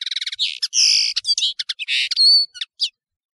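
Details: High, glassy serin song for teaching other birds: a quick stutter of chips, drawn-out buzzy wheezes, scattered sharp notes and a thin sustained whistle near the end.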